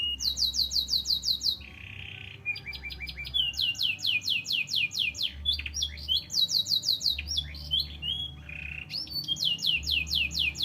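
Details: Canary singing loud, fast series of high descending chirps in repeated bursts, broken by short buzzy rolls and whistles, with a low hum underneath.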